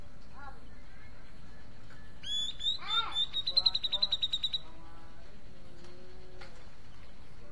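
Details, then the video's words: Grey-cheeked bulbul song in which scattered soft whistles give way to a loud upward-sweeping note and a rapid, pulsing trill of high notes, then quieter descending whistles and a lower drawn-out tone. "Cucak jenggot mencari teman karaoke"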